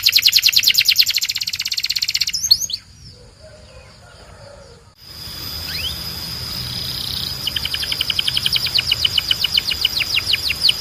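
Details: Belgian canary song meant to train canaries: a fast pulsed trill, a quiet pause with hiss, then another rapid series of repeated notes.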